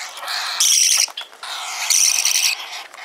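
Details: Hand-tame pet parakeet chick in Fukuoka, Japan, crying while eating. Two loud, harsh, rasping begging bursts, each about half a second long and about 1.3 seconds apart, with quieter wheezy chatter between them.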